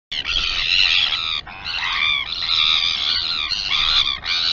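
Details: Royal albatross at the Taiaroa Head colony near Dunedin, New Zealand, filmed by a live colony camera: harsh, nasal, harmonic calls in long continuous bursts with brief gaps, about one second apart, loud and close.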